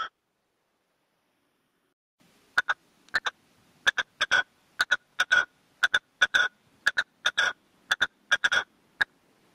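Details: Red-legged partridge cock kept as a caged decoy calls out to wild birds in the field in a mature 'canto de mayor' style. Two seconds of silence, then rasping double and triple notes in irregular bursts.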